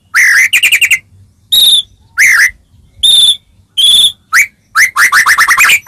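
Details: White-rumped shama singing a melodious song meant to make other shamas answer: loud clear whistled notes in short bursts, a quick trill of repeated notes, then separate bright whistles spaced by brief pauses, closing in rapid chattering notes.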